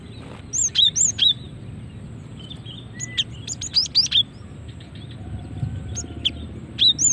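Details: Cinereous tit female call for luring and triggering song: paired high, whistled upslurs with sharp chirps, in short groups spaced two to three seconds apart, over faint background noise.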